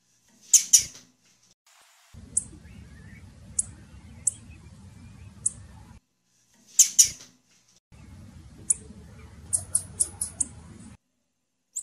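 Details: Female blue-black grassquit giving sharp, high-pitched chips, some doubled into brief bursts and others in quick runs, over a steady low hum that starts and stops.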